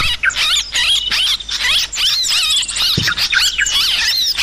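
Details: A busy, overlapping chorus of yellow-vented bulbul calls, recorded as a lure for catching birds. Rapid, twittering high notes and bubbly slurred whistles run almost without a break, with a brief low thump near the end.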